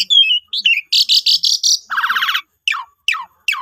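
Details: Asian pied starling used to make other starlings sing: a whistled slur, a series of harsh buzzy pulses, a rattling chatter, then three quick descending whistled notes.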